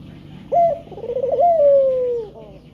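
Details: Male spotted dove cooing, a call used to lure other birds to sing: a short coo, a quavering middle section, then one long drawn-out note falling slowly in pitch.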